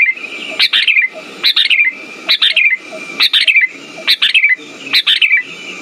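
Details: Lure song of the Sooty-headed bulbul for stimulating silent birds: fairly regular bubbly whistled phrases, each rising then falling, repeated about every second, with a faint steady hum behind.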